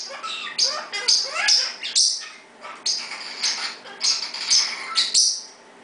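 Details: A pet parrot's usual 6 pm loud attention round gives rapid, shrill chirps and squawks in bursts, some sharply rising or falling, repeated over several seconds; a Pionus parrot calls in the background, and both laugh.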